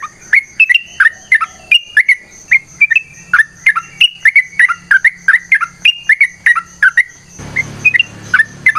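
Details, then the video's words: Sooty-headed bulbul in a long fighting-style song: a dense, regular run of clear swooping whistles, followed by scattered notes over a burst of noise. "TRUCUKAN GACOR TARUNG ROPEL PANJANG"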